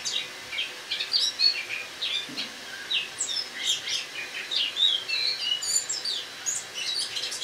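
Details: Autumn singing from a Eurasian blackcap kept indoors over winter, recorded the morning of 1 October 2017: a rapid, jumbled stream of high twittering notes and brief slurred whistles, steady and unbroken throughout.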